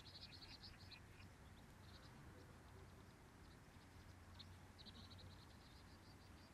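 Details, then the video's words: Sparrows chorusing in the morning, bright chirps in rapid bursts of several notes, scattered softer chirps between, over a continuous low rumble. "아침을 맞이하는 참새들의 합창"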